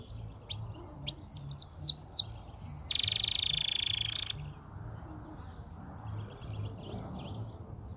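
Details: European goldfinch singing: a few scattered high chips, then a fast run of bright descending twittered notes flowing into a dense buzzy rattling phrase, followed by sparse thin high tweets.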